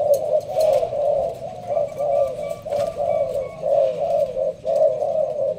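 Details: Malaysian-strain spotted dove kept in a leafy cage, cooing in a slow, sparse pattern. Low, mellow coos pulse in steady waves. Faint thin whistles and light ticks can be heard in the background.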